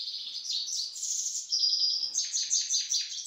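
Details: In Istaravshan, a pet grey-headed goldfinch sings a short passage of buzzy twitters, a sustained high whistled note, then a string of quick repeated chirps.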